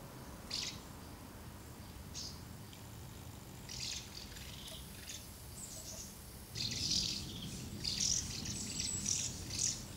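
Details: Common house martins assembling at two nests while feeding young, recorded 24 August 2012. Sparse, brief chirps at first, then a busier stretch of overlapping twittering toward the end, over a soft background hiss.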